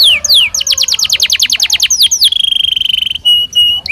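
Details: Belgian canary singing naturally: fast series of descending sweeps, a rapid trill of repeated downslurred notes, then a long buzzy steady roll and short whistled notes, loud and continuous.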